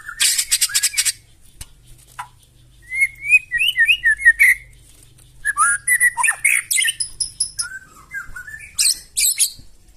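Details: Harsh provoking song of a white-rumped shama: a buzzy high burst, then clusters of quick whistled notes, sharp chips and trills with brief gaps between phrases.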